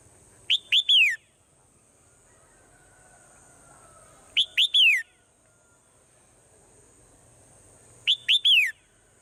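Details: Swallow in the morning repeating the same short phrase three times, roughly every four seconds: two clipped high chirps and a longer descending whistle. A faint steady high tone runs underneath.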